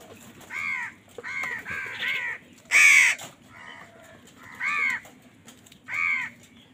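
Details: Crows fighting for food utter a run of harsh, arched caws spaced roughly half a second to a second apart, one much louder and rougher than the rest, with faint background hum.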